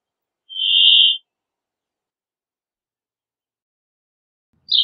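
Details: Brambling giving a smooth, flat nasal buzz of under a second, followed by a long silence and the start of a rougher note at the very end.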